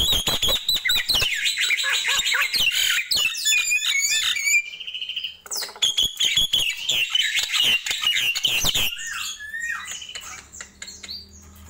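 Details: Nias hill myna in energetic morning song: long runs of rapid, rasping notes and rising whistles, a brief break midway, then more chatter that grows sparser toward the end.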